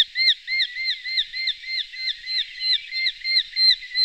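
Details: Eurasian hobby calling in a rapid, even run of arched, ringing notes, about three per second, sustained throughout with little change in pitch; faint low rustling beneath.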